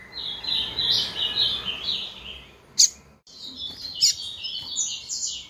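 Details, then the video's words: Female Double-collared Seedeater calling a great deal to excite males: busy, high twittering runs of quick slurred notes, broken by two sharp, piercing chips and a brief silent gap. "Fêmea de coleiro piando muito"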